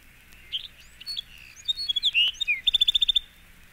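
A Bewick's Wren sings a few thin introductory notes, then slurred buzzy phrases, and ends in a quick, even trill of about nine high notes.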